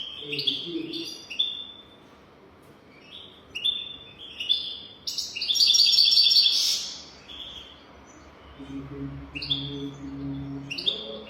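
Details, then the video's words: Goldfinch song recorded to teach young goldfinches: short twittering phrases repeated every second or so, building to a loud sustained burst of fast ringing trills, then more spaced chirps over a low hum. "تغريد رهيب طائر الحسون حنجورة دهبية لتعليم طيور الحسون"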